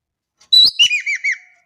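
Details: Single loud phrase from an actively calling Javan kingfisher of Indonesia: a harsh scratchy opening, then four clear arched notes dropping in pitch in quick, even succession.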